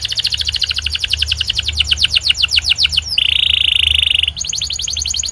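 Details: Song of a white canary: rapid repeated falling notes give way to a steady, buzzy rolling trill held about a second, then a bright high trill resumes; faint low hum underneath.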